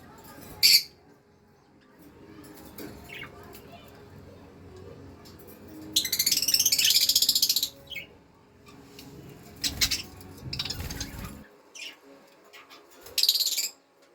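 Budgerigar chicks give raspy, high-pitched chirps and a longer burst of scratchy chatter.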